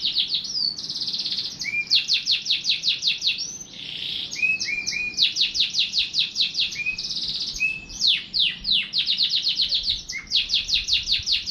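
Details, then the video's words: Canary delivering quick bursts of sharp, downward-sweeping notes in staccato runs, interspersed with brief buzzy rolls and low whistled notes, all continuous and lively. "٣٠ دقيقة تغريد مستمر ورائع مهما كان نوع الكناري خاصتك سيبدء بالتغريد"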